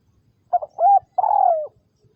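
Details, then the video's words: Spotted dove decoy bird for trapping, calling close and clear: two short soft coos followed by one long, drawn-out coo that slides gently downward, with faint low knocks in the background. "Tiếng Chim Cu Gáy Liêu Rồng Mắt Lé Chân Cua Mồi Đất"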